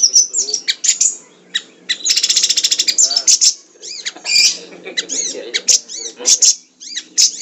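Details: Tutor recording of a Siri-siri singing in a fast, dense and richly varied way. Bursts of high, sharp chirps and rapid buzzy rattles follow each other with short pauses, alongside softer low twittering.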